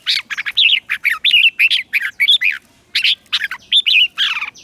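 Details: Red-whiskered bulbul lure bird singing to call wild birds in to contest: rapid bursts of bright, warbled whistled notes, sliding up and down, delivered in short phrases with brief gaps, steady and clear over a quiet background.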